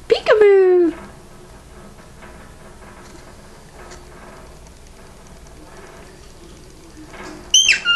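A cockatiel gives a brief, bright whistled call after a voice says peekaboo.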